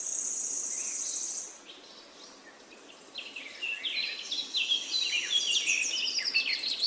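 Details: Birds chirping: after a quiet gap, a dense run of rapid, high twittering notes with quick downward sweeps builds and keeps going to the end, preceded by a steady, shrill insect-like buzz in the opening second and a half.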